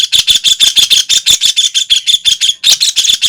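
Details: Continuous rapid, rasping chatter of a White-throated kingfisher (Halcyon smyrnensis), harsh notes repeated without pause at a quick, slightly uneven pace throughout.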